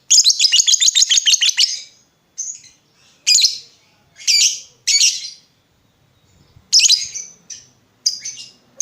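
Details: Vocal lovebird lure to make other lovebirds answer: a fast, rattling ngekek-style chatter for about two seconds, then shrill, separate squawks and short, high chirps at irregular gaps.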